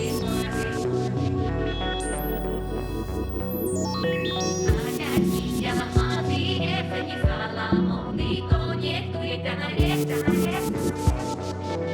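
Electronic ambient music with steady synth chords, a sweeping rising tone and regular percussive beats; no animal voices are heard.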